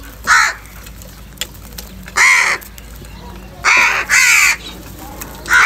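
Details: Crows calling as they fight for food in the morning, a run of harsh, grating caws, two given back to back, the rest spaced irregularly about one to one and a half seconds apart.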